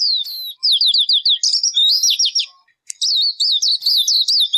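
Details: Bird calling in a lively, varied series: high warbled and looping whistles, a rapid wavering trill, a brief pause, then a fast chattering run of clear high notes ending on a steady tone.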